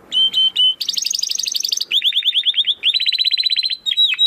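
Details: Song of a domestic canary recorded to tutor contest birds: two clear whistles, a rapid high rattle, runs of quick downslurred chirps, and closing swooping notes.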